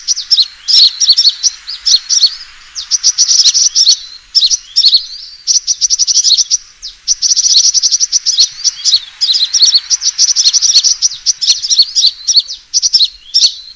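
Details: Sunbird fighting call played as a lure for trapping birds: busy, piercing high twitters and chips in long bursts separated by brief pauses.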